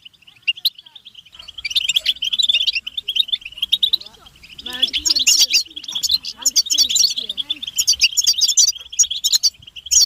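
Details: Collective butbata of European goldfinches, mating and readiness calls used to stimulate males. Quieter twittering builds into dense, bright chirping bursts. Some lower, wavering voice-like sounds can be heard in the middle.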